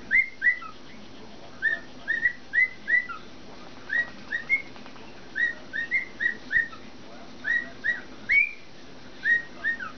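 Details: Adult male cockatiel whistling to a foot as his audience, performing a string of short, clear, bouncing notes in small repeated phrases.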